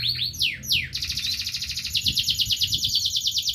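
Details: A local canary gives a few sharp downslurred notes, then breaks into a long, fast, pulsing high trill that holds steady to the end.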